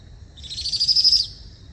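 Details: A Powerful Owl (Ninox strenua) chick at night calls to its parents to be fed: one high, wheezy, trilled begging call under a second, swelling then fading, over faint low rumble.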